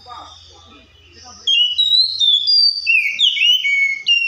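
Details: Oriental magpie-robin song offered as tutor material for other songbirds: after a quiet opening with faint low hum, loud clear whistled notes burst in, slurred, sliding up and down in quick varied phrases lasting about three seconds.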